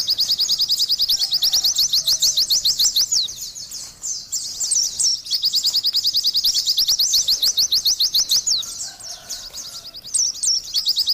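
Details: Long, energetic Oriental white-eye song: repeated bursts of very fast, shrill rising chirps in rapid series, broken by short quieter gaps, then resuming with bright high twitters toward the end.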